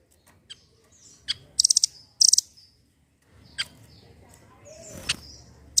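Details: Velvet-fronted nuthatch, known locally as rambatan doraemon, giving a lively lure song meant to get silent birds singing: scattered sharp high chips, then two tight bursts of rapid piercing notes, with a few softer notes after a pause.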